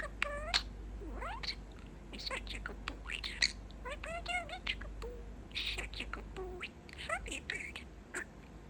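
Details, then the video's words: Pet male budgerigar chatting up close, mixing favourite phrases and saying "What Bird?"; rapid high-pitched warbled syllables, rising and falling chirps and buzzy mimicked words in quick bursts, with faint human voices nearby. "Talking Parakeet"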